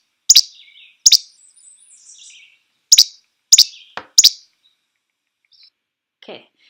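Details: Least Flycatcher giving short, sharp, snappy 'che-bek' calls, not quite two syllables, almost one, five in quick succession over about four seconds, with faint soft chatter between; its whole body shakes as it calls.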